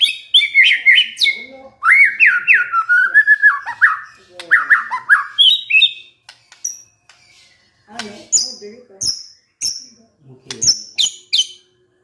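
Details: White-rumped shama, described as stressed and bursting into song after hearing a lure: bright whistled phrases mixed with harsh chattering notes, then sparser high sharp notes and clicks separated by short pauses.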